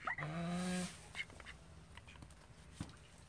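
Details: A call duck from a home flock of thirteen gives one loud, rich, nasal quack lasting nearly a second, followed by quiet background with a few soft clicks.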